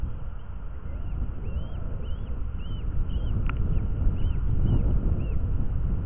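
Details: Eurasian hobby at a man-made nest in Dorset on the afternoon of 6 July, as the second chick hatches and the bird is fed, giving a fast series of thin, arched, high notes, about three a second, over heavy low wind or handling rumble.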